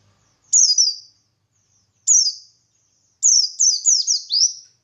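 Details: Buxtoni white-eye singing in the ngalas style, used as a lure to provoke other white-eyes into answering: high, thin, downward-slurred chirps, two single notes, then a rapid run of four overlapping descending notes.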